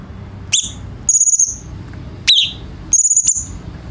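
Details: Grey-cheeked bulbul singing, a recording meant to tutor captive birds: four high notes, two quick downslurred chirps alternating with two longer, rapidly pulsed whistles, with low background hum.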